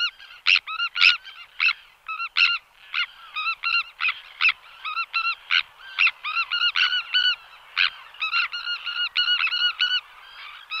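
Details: Sandwich tern giving harsh, rasping calls, from a recording of flight displays and colony alarm calls. Short grating notes repeat in rapid, uneven bursts, several per second at times, over a faint background hiss.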